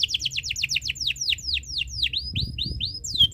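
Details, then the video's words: Canary in breeding condition singing to set other birds singing: a fast trill of repeated downward-sweeping notes that gradually slows into spaced, clear swooping whistles, with faint low background noise. "Suara Burung Kenari ini Bikin Burung Lain Ikut Bunyi"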